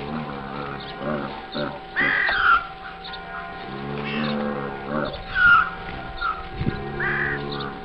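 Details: Crows at a zoo on Pentecost Sunday morning, giving harsh cawing calls in short bursts around two, four, five and seven seconds, over a steady mechanical hum and low background voices.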